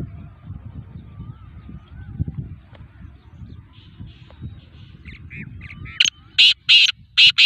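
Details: Black francolin (kala tetar, Sindhi tetar) under training: low, quiet murmuring and faint thin whistles, then a closing run of four loud, harsh, grating bursts, each under half a second, delivered in quick succession.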